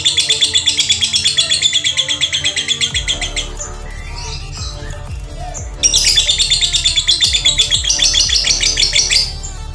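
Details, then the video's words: Lovebird tune said to suit becoming konslet in males and females: two bursts of rapid shrill chattering separated by a quieter gap of about two seconds, set against continuous background music. "Nada burung lovebird yang bisa konslet baik jantan atau betina"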